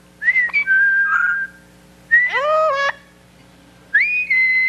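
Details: Nikki, a trained singing parrot performing on a TV talk show, whistles three clear phrases: a level note, a rising sweep that jumps higher, then a bright rising whistle settling onto a steady tone, over a faint hum.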